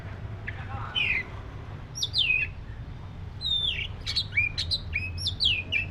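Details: Black-breasted Oriental magpie-robin singing: clear whistled notes and slurred downward phrases near the top of the range, delivered in short bursts with pauses, over a steady low hum.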